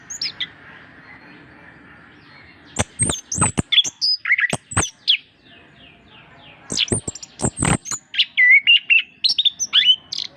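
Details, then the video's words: Orange-headed thrush song as a master recording to encourage reluctant birds to sing: two bursts of quick, varied whistles and sharp clicks, the later burst ending in looping whistled phrases, over a faint hum. "masteran anis kembang gacor untuk perangsang burung susah bunyi"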